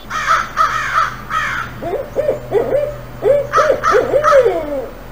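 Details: Barred owl, a nocturnal owl of Idaho, hooting in rich, wavering phrases that swoop and drop at the ends, mixed with harsher, higher nasal calls, in the 'who cooks for you' rhythm.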